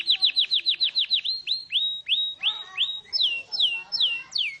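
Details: Canary song built from clear whistled notes. A quick run of short falling chirps slows into longer level whistles, then into drawn-out notes that drop in pitch, each repeated about twice a second.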